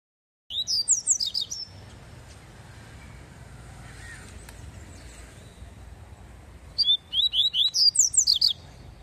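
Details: Double-collared seedeater (papa-capim coleiro) singing the tui tui song style: a quick phrase of sharp, slurred high whistles rising and falling, then a pause and a second, longer burst of about nine rapid notes.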